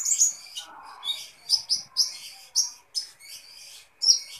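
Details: An Indonesian sunbird, known as kolibri ninja, sings busily: a lively run of high, thin chirps and sharp twitters in quick uneven bursts, with short pauses between phrases.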